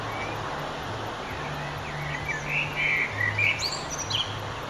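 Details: Sunset song of a Eurasian blackbird recorded 9 June 2011: a soft lead-in, then a cluster of mellow warbled notes ending in a squeaky high flourish, with a low droning hum throughout.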